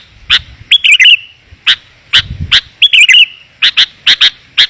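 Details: Lure call of a sooty-headed bulbul, used to bring wild bulbuls in. Crisp single chirps alternate with two brief gurgling, liquid phrases, spaced irregularly over a quiet background.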